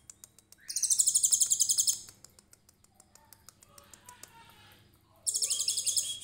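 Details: Konin of the trotol type in cililin shooting style, a tutor recording for songbirds: a piercing rapid trill about one second long, then quieter lower chirps and faint voices, and a new high burst at the end.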